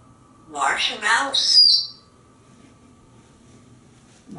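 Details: A talkative pet African Grey Parrot indoors, practicing words while perched on a shower perch in the bathroom. Two quick voice-like syllables are followed by a short, high, thin whistled note, then quiet room.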